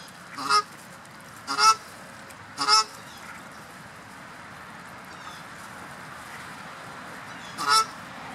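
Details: Cape shelduck giving loud, nasal honking calls: three honks about one second apart, a pause of several seconds, then a fourth honk, over a low background hiss.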